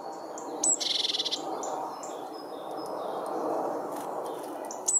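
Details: Great tits feeding and breaking up food with their beaks give short, high chirps and a quick stuttering rattle, scattered through steady background hiss from wind or distant noise.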